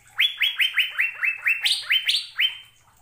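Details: ['Asian fairy-bluebird in full song for caged-bird training: around eleven bright whistled notes in quick succession, each rising then levelling off, with two higher notes toward the end.']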